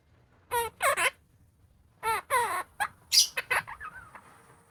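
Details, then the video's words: Opaline monk parakeet talking indoors, trying out a new word: throaty, voice-like syllables in pairs with gliding tones, then a sharp high squawk and a few quick chattering notes trailing off. "Opaline Monk Parakeet speaking/Talking Parrot /New Word"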